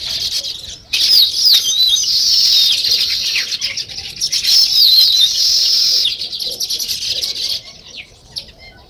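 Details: Natural sparrow chirping: many birds twitter together in high, scratchy, rapidly repeated chirps that swell loudly and then fade toward the end.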